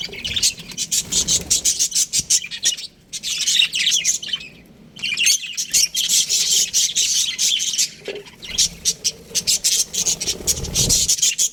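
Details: Aviary of baby budgies: bursts of fast, scratchy high-pitched chirping and squawks from several birds, with short silent breaks between the bouts.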